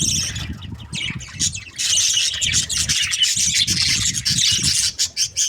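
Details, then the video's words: Budgies squawking and chirping in a steady harsh chatter over a low rumbling, thumping background noise. "Budgies parrot chirping sounds"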